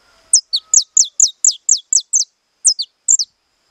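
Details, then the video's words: Saffron finch delivering estalado song: a fast volley of about twelve sharp, high, descending snaps, some paired, tumbling in quick succession with one brief pause before a final few notes; little else audible. "CANARIO DA TERRA CANTANDO ESTALADO"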